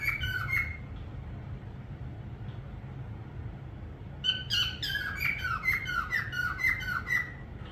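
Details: Parrot giving a short burst of harmonic chirps, then a pause, then a quick run of falling, whistled notes about four per second. A low steady hum stays under it throughout.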